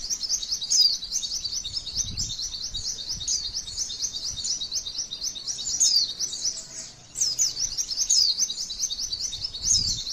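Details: Female white-eye song used as masteran material, a long rolling trill; dense, rapid high-pitched twittering runs on steadily for ten seconds with short louder bursts and a slight dip in the middle.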